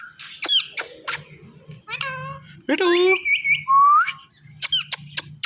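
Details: Talking parrot kept as a pet, uttering sharp clicks, nasal harmonic calls and a rising whistle, with a low indoor hum throughout.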